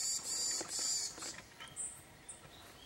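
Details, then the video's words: In December 2023 on Ishigaki Island, Okinawa, Japan, an Iriomote tit gives high, scratchy buzzing notes for about a second, then two thin, very high whistles spaced half a second apart. "オリイヤマガラ Iriomote Tit"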